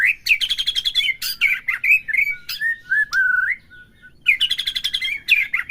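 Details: Song of a white-rumped shama, used to stir a caged bird to sing: fast rattling trills, fluty slurred whistles dropping in pitch, a brief pause, then rapid trilling resumes.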